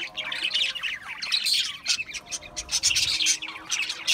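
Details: Lively budgerigar warbling with rapid, scratchy notes and some sliding, falling squeaks, several birds overlapping throughout in near-constant twitter.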